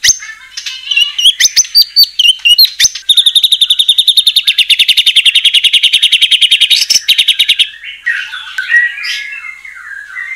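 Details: White-rumped shama in full song, played to provoke other shamas: choppy chirps, then a long fast trill of repeated notes lasting about four seconds, ending in softer scratchy warbles.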